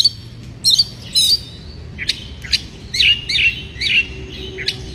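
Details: Breeding-condition white-rumped shama song meant to rile rival birds: a few scratchy high notes, then a run of short, fluty, wavering whistles, with faint steady background hiss.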